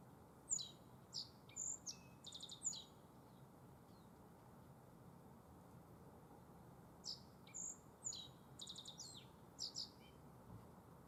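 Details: Spring song of a Black-faced bunting in Tenjinyama green space, Toyohira, Sapporo, Hokkaido, Japan: two brief phrases about six seconds apart, each a quick run of high, thin chirps with a short buzzy trill, over faint low rumble.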